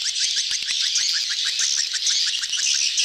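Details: Lure recording of a swiftlet mating crowd: quick descending chirps repeated several times a second over a bright, hissing mass of twitters and clicks.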